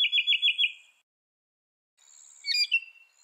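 Northern Mockingbird: a quick burst of five bright, identical chirped notes, then after a pause a varied, squeaky phrase with sharp high accents.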